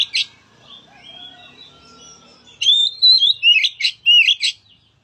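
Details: Oriental magpie-robin song used to stimulate a reluctant magpie-robin to sing: a soft whistled passage, then loud, rapid slurred whistles and sharp chirps in quick bursts, high and clear against a silent background.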